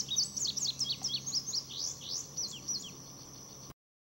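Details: Indigo bunting filmed in North America singing a quick run of high, sharp, slurred notes, several rising then falling, over about three seconds, with a faint low hum beneath.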